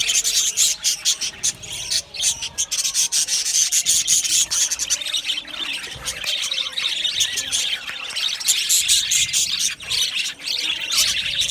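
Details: Budgerigars in an aviary colony chirping together, a dense continuous chatter of high, rapid warbles and twitters with scratchy notes layered over one another throughout.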